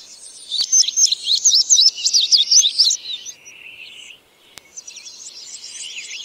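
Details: Indigo bunting singing a long, fast run of high, sharp chirped notes, many in quick pairs, for about three seconds, then a lower buzzy phrase and a second thinner burst of high notes.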